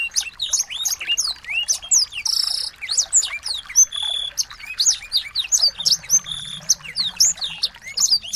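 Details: High chattering song of small birds used to coach a white-rumped shama to sing: continuous rapid chirps and slurred whistles, with a brief buzzy rattle early on and a faint low hum in the background.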